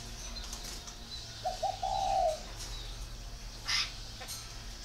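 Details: Spotted dove kept at a dove-raising garden in northern Vietnam, Ba Vì, Hanoi, giving one cooing phrase: two brief soft notes followed by a drawn-out, slightly falling coo, then a sharp tap and quiet hiss.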